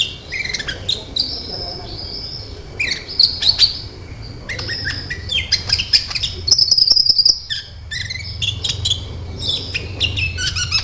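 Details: Sunbird, the kolibri ninja, singing energetically as a lure for other kept birds: rapid high twittering with thin whistled notes and sharp chips, some sweeping down, dense bursts with short gaps over a low steady hum.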